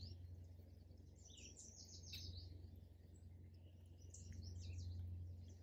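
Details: Birds singing and chirping in a park: many thin, high twittering chirps from several birds overlap on top of a loud, steady low rumble.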